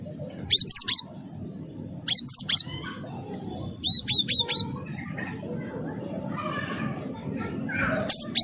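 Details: Cinereous tit, wingko type, singing energetically as a lure to make other birds sing: short clusters of three or four high, clear down-slurred whistles every second or two, with fainter chatter and low noise underneath.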